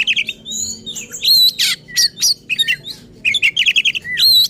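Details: Oriental magpie-robin in excited, aggressive song used to rouse rival magpie-robins, packing rapid varied whistles, buzzy trills and high upslurred notes into a dense, nearly continuous stream.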